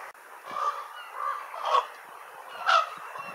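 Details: Ravens calling: harsh, hoarse croaks given about once a second, four rough calls of rising loudness over a steady low background hiss.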